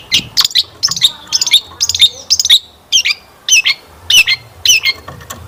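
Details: Long-tailed shrike giving a full, showy lure song that prompts other shrikes to sing. Buzzy, squeaky phrases repeat roughly twice per second, with pauses between the later phrases.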